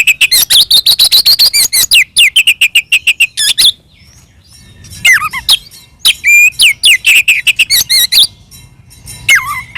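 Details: Oriental magpie-robin singing an energetic fighting song to provoke other magpie-robins: a rapid volley of sharp repeated whistled notes, a pause, then varied sliding whistles and chirps with faint low background hum.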